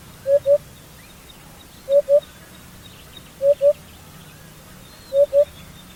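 A hoopoe gives soft, hollow, low 'oop-oop' notes in pairs, repeated about every one and a half seconds over a faint low rumble.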